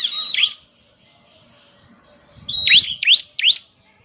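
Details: Bar-winged prinia sound used to coax a caged bird into singing: a few sharp rising chirped notes, a pause, then a thin whistle leading into three quick upswept notes.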